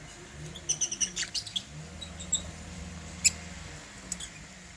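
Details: Caged African lovebirds at meal time with holy basil: a quick run of thin, high twittering notes, then a few scattered single chirps over low background noise.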